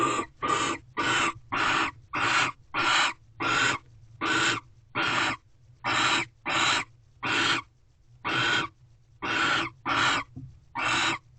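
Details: In a Corral owl box late on 19 February 2023, a male barn owl has brought prey and the female is eating; a fast run of around eighteen short, rough screeching hisses, nearly evenly spaced, with low background hum.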